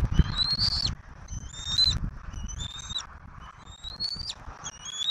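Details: Wild bald eagles in southwest Florida bring a turtle and feed their eaglet, March 2024. Repeated thin, high whistled notes slide upward in short phrases of two or three, over soft low rustle and wind.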